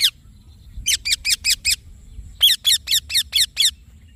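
A rose-ringed parakeet gives harsh, screechy notes in two quick runs of five and six, about four per second, against a quiet background.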